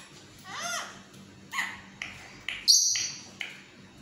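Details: A pet yellow parrot in a talking mood: a handful of short, speech-like syllables with a nasal, harmonic tone, spaced about half a second apart, plus one sharp high squeak.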